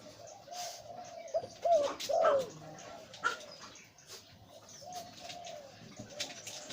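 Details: Deep-voiced breeding male zebra dove of the หลิ่วตัน type. A short cluster of clipped, rolling coo notes comes mid-clip, then softer repeated coos, over a background hiss and clicks.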